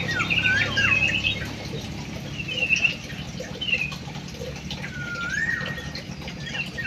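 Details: Munia giving several short buzzy trills and a long downward-sliding whistle, fairly soft over a persistent low humming background.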